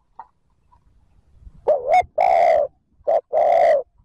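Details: Spotted dove lure cooing to make wild birds call back. Two phrases come in quiet surroundings: first a warbled double note and a long coo, then a short clipped note and another sustained husky coo.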